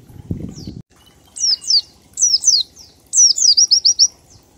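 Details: Oriental white-eye singing ngalas, a lure for other birds to sing: after a short burst of low noise, paired high falling chirps build into a rapid trill of six evenly spaced thin notes.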